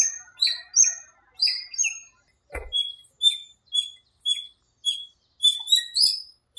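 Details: Dawn in a small park during breeding season and the rainy season, with rhythmic bursts of high chirping notes repeated about twice a second and one low thud midway.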